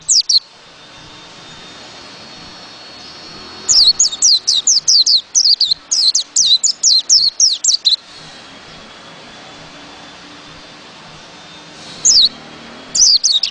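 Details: White-eye delivering bursts of fast, high, sharply falling chirps, a long string in the middle and shorter volleys at the start and end, separated by quiet stretches with a faint steady background hum.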